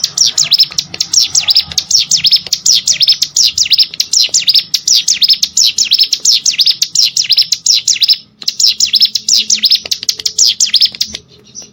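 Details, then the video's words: Prinia called cigun or prenjak gunung, song for training competition birds: long stream of rapid, piercing, high swooping whistles, nearly three per second, briefly pausing then resuming. "CIGUN ATAU PRENJAK GUNUNG!!!"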